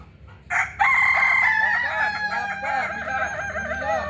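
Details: Kokok Balenggek rooster from Solok, West Sumatra, crowing loudly after a short opening note, then a long sustained crow broken into rapid undulating, stepped syllables.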